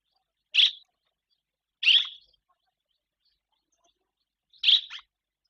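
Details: Barn swallows in spring in Guangdong, China, busy building nests; three bright, clipped chirps spaced about one to three seconds apart, the last one doubled, against a quiet background.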